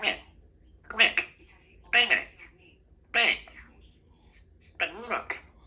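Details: A two-year-old female Congo African grey parrot kept as a pet at home, practising her words and sounds, with four bursts of speech-like chatter and squawky syllables about a second apart, indoors over a low hum.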